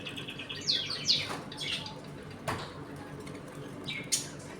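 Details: Budgerigars in a home colony, eating and playing: a pair of shrill, falling chirps early on, a softer squeak, then sparse faint clicks and one sharp high note near the end over quiet room noise.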